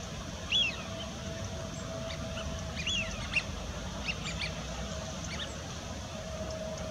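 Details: Eurasian wigeon at the Bedburger Klärteiche settling ponds: two loud, arched whistles rising then falling, about two seconds apart, among scattered short chattering calls from other waterbirds, over a steady low rumble.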